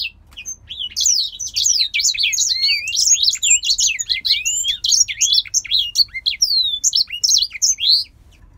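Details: Male grey singer finch in captivity, from a Polish breeder, pouring out a dense, fast stream of high chirps and slurred whistles for about eight seconds, then falling quiet.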